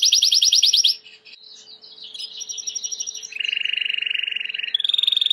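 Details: Timbrado canary, a white canary, singing for training: a fast, rolled high trill for a second, then scattered twitters, followed by a lower sustained rolling trill and a brighter final trill.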